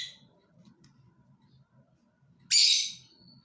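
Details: Lovebird giving one loud, harsh, broadband screech lasting about half a second, preceded by a brief high chirp at the start; a soft low murmur continues underneath throughout.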